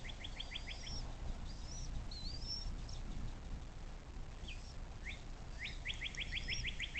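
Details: Bald eagle at a nest camera along the Little Miami River near South Lebanon, southwest Ohio, USA, at 17:23: two short bursts of rapid, evenly spaced piping notes, with thin whistles from other birds and steady low background rumble.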